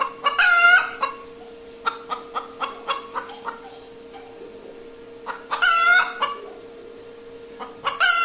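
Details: After laying an egg, a hen gives a noisy cackle of sharp clucks climaxing in long harsh calls, with a quieter stretch of clucking between bursts and a constant background hum.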